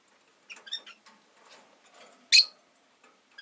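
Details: Soft twittering chatter from caged rosy-faced lovebirds, five birds by a window, breaks into one piercing, harsh shriek, then a few quiet chirps.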